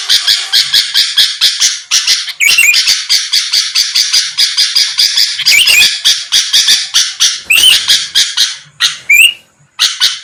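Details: Sooty-headed bulbul in full song, played as a lure to provoke quick replies from rival birds: loud, harsh chattering notes repeated about twice a second in long runs, with a few brief squeaky whistles mixed in.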